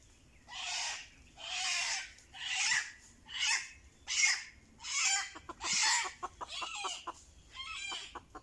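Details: Red junglefowl lured with a decoy, giving a run of eight harsh, broad noisy bursts, each under a second and repeated roughly every second, followed by scattered sharp clicks.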